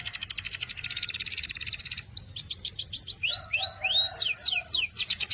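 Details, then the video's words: Canary singing a rapid buzzy trill of dense repeated notes, then switching to spaced downward-sweeping whistles and a few rising slurs, with a quieter second voice briefly underneath and low background hum. "Sweet Canary Chirping Sounds"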